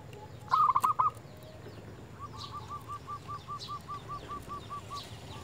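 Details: Zebra dove calling a rival, a local bird in agitated song: a short loud burst of rolling coos, then a long even series of softer repeated notes over steady background hiss and faint chirps.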